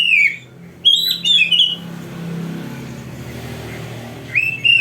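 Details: Oriental magpie-robin (kacer) song used as a tutor for young birds: loud whistled slurred phrases, a pause with low background rumble, then the whistling resumes.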